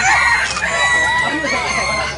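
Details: At a hybrid red junglefowl crowing competition ('Sorok Bon') in Felda Tenang, Terengganu, numerous crows run together into a loud, unbroken chorus that fades slightly toward the end.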